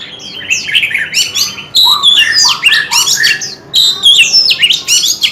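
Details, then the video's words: Oriental magpie-robin song that opens with soft descending notes, then breaks into loud bursts of mixed whistles and rasping chatter, each lasting about a second. "Tiếng Chim Chòe Than Hót Hay Nhất 2026"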